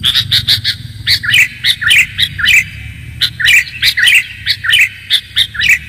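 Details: Sooty-headed bulbul lure recording with short, clear, bubbly phrases. Each phrase dips and rises, repeating about every half second in an uneven rhythm, with faint low background noise.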